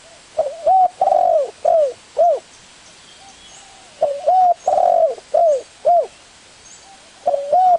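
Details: Three cooing phrases of a spotted dove, each with a rising short note, a long drawn coo and two or three falling notes, repeated roughly every three and a half seconds with faint high background whine.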